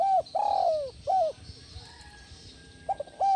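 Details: Cooing of a captive spotted dove, played to calm stressed birds: short curved coo, then a long sustained falling coo, another short arched note, a pause, and quick closing coos over faint background hiss.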